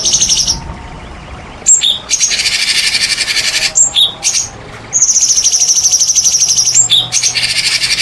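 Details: White-rumped shama song used as a lure to provoke silent shamas into singing: dense high buzzy trills and rattling bursts, separated by short quiet gaps and brief sharp notes.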